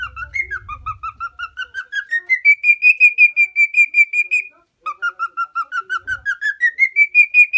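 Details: Lost pet cockatiel, a four-year-old lutino male from Minoo, Osaka, Japan, whistling a clear repeated phrase: notes rising from mid pitch to a sustained high level, pulsed about three times a second, with a brief pause and restart.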